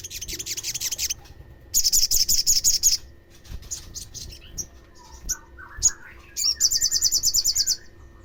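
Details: Olive-backed sunbird lure call, used to provoke other sunbirds to call: three bursts of rapid, high, buzzy trilled notes, with scattered thin chirps and a short run of lower warbled notes between them.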